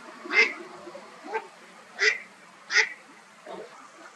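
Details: Eastern spot-billed duck swimming along gives five harsh, nasal quacks at an uneven pace, the middle ones loudest, over a quiet background; the observer suspects a contact call rather than song or ordinary call.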